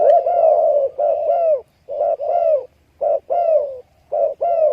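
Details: Spotted dove cooing: low, mellow hooted notes in quick bursts, some drawn out and slightly falling, separated by short silent gaps across about five seconds.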